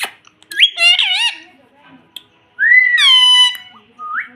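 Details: Indian ringneck parrot chick indoors giving a squawky harmonic phrase, then after a pause a long ringing whistle-like word and two short rising whistles.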